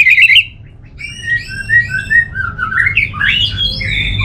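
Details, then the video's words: Orange-headed thrush opens with a loud, quick trill, then a sequence of softer whistled notes building into an excited, tumbling warble. "Suara ANIS MERAH"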